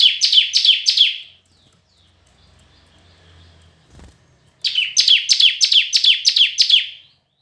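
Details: Red-whiskered bulbul in competitive song: fast runs of bright, downward-sweeping whistled notes with buzzy tails. A gap of about three seconds holds a faint low hum and a single knock, then another lively run follows.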